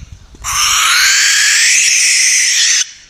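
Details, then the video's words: One prolonged hoarse screech from a barn owl, a single harsh hissing cry held for over two seconds, with faint low background noise. "Barn Owl Song! Barn Owl Call! Barn Owl Sound! - Lechuza Común / De Campanario Canto - Tyto Alba"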